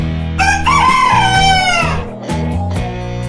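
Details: White rooster crowing once: a single loud, drawn-out cock-a-doodle-doo lasting nearly two seconds, rising then sliding slowly downward, with steady instrumental music playing underneath throughout.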